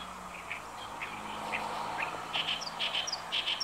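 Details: Territorial song of an Oriental reed warbler at Inuyama, Japan, recorded 28 May 2022: scratchy, chattering notes in uneven phrases, growing busier toward the end over a steady background hum.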